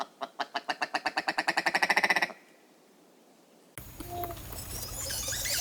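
A Willow Ptarmigan gives a harsh, croaking rattle of about twenty clucks that speed up and grow louder over two seconds, followed by a pause and a burst of different noise.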